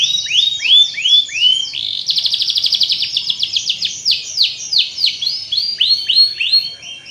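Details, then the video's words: Canary song used as a lure to stimulate lazy canaries to sing: fast bright trilled rolls of repeated upswept whistled notes, with a dense buzzy roll in the middle and no other clear sounds. "CUIT CUIT PANCINGAN BURUNG KENARI AGAR CEPAT GACOR DAN NGEROL"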